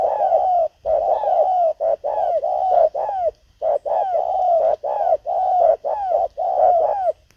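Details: Spotted dove, a decoy bird used to lure wild doves, giving a long run of mellow low coos, short rounded notes packed closely with brief pauses, continuing steadily for several seconds with no other sounds.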